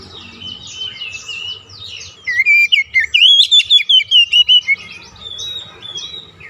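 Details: White-rumped shama in a cage, its song meant to stimulate a silent bird: soft scratchy twitters build into a run of about ten loud whistled, warbling notes.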